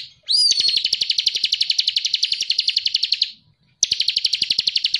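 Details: Bar-winged prinia (Prinia familiaris) song: a loud, buzzy, high-pitched trill of rapid repeated notes, about four per second, pausing briefly before starting again.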